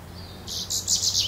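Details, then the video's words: Goldfinch giving a quick series of four or five sharp, high, liquid notes, rising in loudness, with a soft low hum in the background. "Goldfinch calls"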